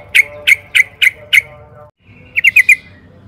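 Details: Lure recording of a sooty-headed bulbul for cage-bird training: five loud, evenly spaced chirps, a short silence, then a tight cluster of four quick notes over a faint hum.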